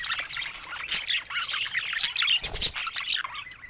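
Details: Budgerigars kept as pets, chattering nonstop: high, busy twittering and squeaky warbles layered together, with a couple of sharp clicks.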